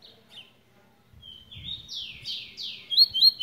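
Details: {'caption': 'Tui song opening with faint notes, then a drawn-out whistle leading into three strong falling sweeps. It ends with sharp upslurred chirps, over soft low rumbling.'}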